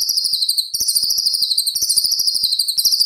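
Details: White-rumped shama in competition training material for young spotted birds: an unbroken, very fast high rolling trill, steady and buzzy throughout, without pauses.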